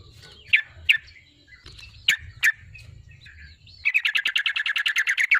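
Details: Singing yellow-vented bulbul (trucukan), used as a lure to press a rival into singing: scattered sharp chirps and short slurred notes, then a fast run of about fifteen bright repeated notes at the end, over a low hum.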